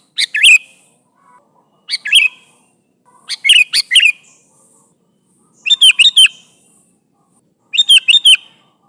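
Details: Bright, gurgling chirp phrases from a sooty-headed bulbul calling its companions, five bursts of two to four slurred notes spaced about two seconds apart, clean quiet background.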